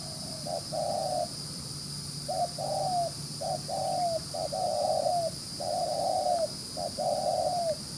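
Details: Wild-caught spotted dove cooing fast and readily: paired notes, a short hollow pip then a drawn-out downslurred coo, repeated in a steady run with small gaps and a faint background hum.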